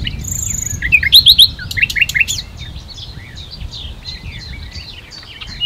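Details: Common nightingale singing on 1 June 2019 late morning at the Ahsewiesen nature reserve, Germany: a loud burst of rapid repeated whistled and rattling notes in the first two and a half seconds, then faint distant phrases from other birds.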